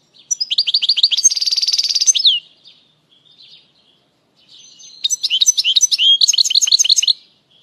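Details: Goldfinch singing, meant to excite other birds and teach young goldfinches their song: two bursts of quick, high twitters and buzzy rattling trills separated by a short pause, lively and chattering.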